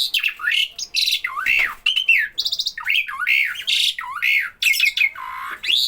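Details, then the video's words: Harsh, scratchy chatter from a starling that always sounds off when people are around, with looping up-and-down slurred notes and grating bursts packed closely together. "Burung Jalak Bila ada orang selalu bunyi"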